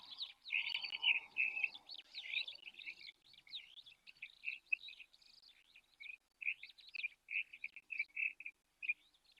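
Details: Superb starlings bathing at an African waterhole on 30 July 2024 chatter in a fast, jumbled stream of shrill, squeaky notes; splashing and wing-flapping mix in early, then the calls break into short, repeated chirps.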